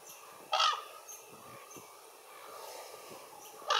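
A raven gives two harsh, hoarse calls about three seconds apart over a quiet, steady outdoor hiss.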